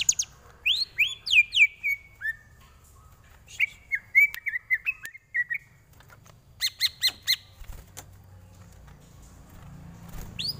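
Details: Greater green leafbird tutor song for training: falling slurred whistles, then a series of short warbled notes and quick sharp chips, with fainter stretches and low rumbling noise toward the end.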